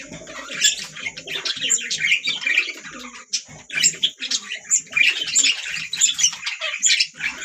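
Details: Lively chattering of several budgerigars, an unbroken stream of quick chirps, squeaks and scratchy notes in rapid, irregular bursts.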